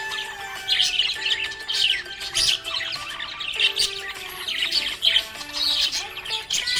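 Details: Happy budgerigar giving a long run of scratchy chirps and clipped squawks in uneven bursts, accompanied by a steady musical backing.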